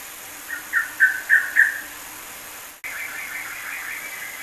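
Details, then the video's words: Yellow-vented bulbul singing a combination of the ropelan style, used as tutor song for training songbirds: five quick bubbly whistled notes in a fast run over about a second, then after an abrupt cut a softer continuing chatter. "Kombinasi Ropelan Trucukan WK"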